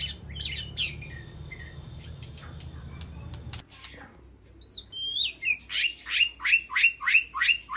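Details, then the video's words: Aviary White-rumped shama calling to the flock: scattered whistled phrases over a low hum at first, then after a pause a fast series of about eight loud sweeping chips repeated roughly three times a second. "Sound of White-rumped Shama Call to Flock"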